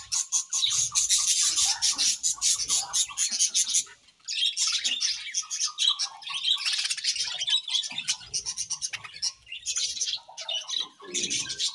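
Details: Chattering budgies in a cheerful mood, overlapping high warbles and rapid ticking chirps pouring out almost nonstop, with one short pause near the four-second mark before the chorus resumes.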